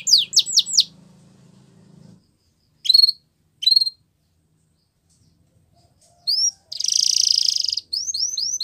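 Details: Canary song played to encourage quiet canaries to sing: a few quick downward-swept whistles over a faint low hum, silence broken by two sharp chips, then a harsh buzzy trill and a short run of swooping notes.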